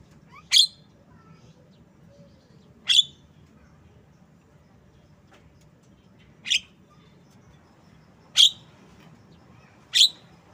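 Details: Jalak kebo, the Javan myna, producing five separate sharp, scratchy chips spaced one to three seconds apart, with near silence between them.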